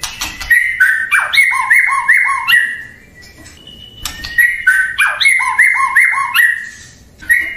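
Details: Murai batu, or white-rumped shama, repeats quick whistled double notes with a lower answering note, roughly three per second, in two bursts broken by a short quiet gap with a faint thin whistle.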